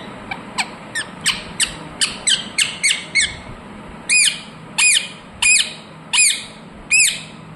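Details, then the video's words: Talking pet ringneck parrot making its natural calls. A quick series of softer, clipped squeaks gives way to six loud, ringing, arched screeches about two-thirds of a second apart. "Ringneck parrot Naturals Sound"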